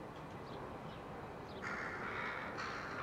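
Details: A rook colony with chicks, July 2021, gives a long rasping caw lasting about a second, followed by another grating call, with faint high chirps earlier and constant low rumble behind.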